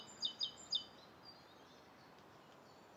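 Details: Three quick, high chirps from a Rose-coloured Starling in Bishopston, Bristol, on the morning of 29 November 2014, then near quiet with soft background noise.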